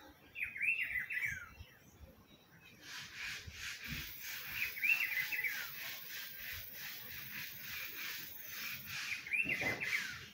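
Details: Rufous-browed peppershrike (Cyclarhis gujanensis) in spring gives a short, rich whistled phrase three times, about every four seconds, over a steady rushing hiss.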